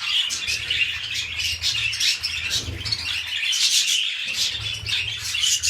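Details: Mating pet budgerigars at the start of breeding: rhythmic bursts of scratchy chirps and warbles rising and falling, a louder squeaky stretch midway, over a constant low hum.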